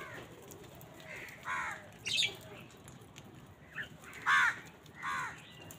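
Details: Crows calling on a winter morning while fighting for food: several rough, nasal caws spaced irregularly, one louder burst near the end, over steady outdoor hiss.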